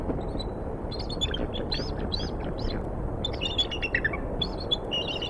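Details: Wild eagles at a nest in Decorah, Iowa, on a February morning, the female and a strange eagle nearby calling after the male brought prey: series of thin high chirping and squealing notes over steady wind-like noise.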